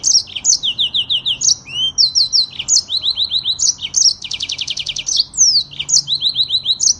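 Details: Long rolling song of a yellow-fronted canary from Africa: rapid high whistled series, a dense buzzy trill in the middle, and quick downslurred notes repeated in tight succession throughout.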